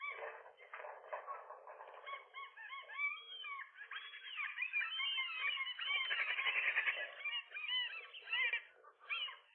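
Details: Gull couple guarding a rooftop nest in the morning, wrestling with a lone intruding gull; harsh, overlapping yelps and squeals, building to a dense, loud burst around six to seven seconds.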